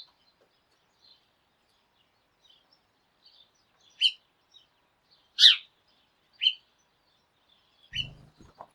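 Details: Morning sparrow flock calling as a group: a scattering of short, sharp chirps spaced a second or so apart, the loudest near the middle, ending with a low thump of handling noise.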